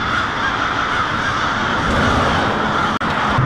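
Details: A huge winter roost of American crows in Lansing, Michigan, 1 February 2016, settling at night on a residential street. Countless birds caw at once, producing a steady, harsh din with a brief break near the end.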